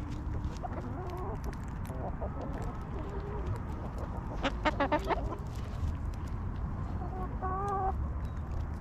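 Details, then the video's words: Backyard hens relaxing in their coop give soft, low clucks, then a quick burst of sharp stacked notes midway and a short drawn-out nasal call near the end, over a steady low rumble. "Hens Clucking!"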